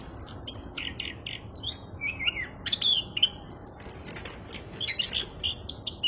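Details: Clear-voiced song of an orange-headed thrush: rapid bursts of sharp high whistles, slurred notes and short chirps, later settling into a quick run of evenly spaced repeated notes.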